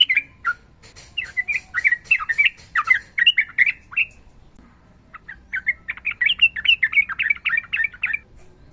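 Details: Sooty-headed bulbul singing a long phrase, with fighting song and a female calling a male: a chattering burst of warbled chirps, a brief pause, then a fast, even run of bright notes.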